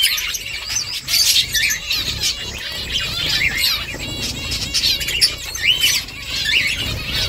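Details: Finches at work on a nest, giving rapid high twittering and trilled chirps in overlapping bursts, with occasional soft rustling or wing-flutter noises among the calls.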